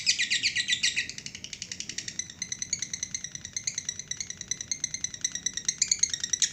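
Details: A lovebird's 'ngekek panjang' song: a loud burst of harsh chattering, then a softer, ringing, evenly pulsed high trill carried on for several seconds.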